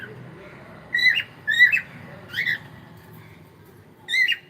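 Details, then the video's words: Cockatiel morning song: four short whistled notes, each sliding up and down, spaced about half a second to two seconds apart over a soft background murmur. "cute Cockatiel singing and sound"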